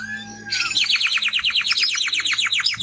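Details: Timbrado canary singing strongly: after a brief soft note, a fast, even run of repeated downward-sweeping notes, around twenty in two seconds, bright and high-pitched.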